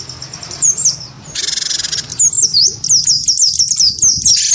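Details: Cinereous tit of the wingko type, provoked by a white-eye: a harsh, stuttering buzz, then a fast series of high, dipping, whistled notes, about seven in quick succession.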